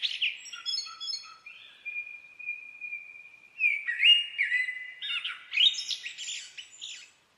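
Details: Common blackbird song: chirpy opening notes, a sustained even whistled tone, then a lively run of fluted warbles rising into scratchy high twitters.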